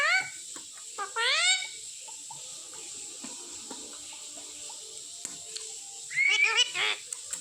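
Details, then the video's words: Pet Indian ringneck parakeet speaking words such as "Papa Papa" after repeated training. Two quick rising, nasal phrases come at the start, then a near-silent stretch, then a rapid cluster of harsh syllables near the end; a steady high whine runs throughout. "मेरा Mithu बोला “Papa Papa” पहली बार | Talking Parrot"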